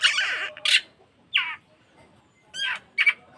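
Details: Oriental magpie-robin (kacer) trigger recording for caged birds, meant to spur tail-opening and more singing: a few short harsh bursts and one descending whistled note, with quiet gaps and faint low background noise.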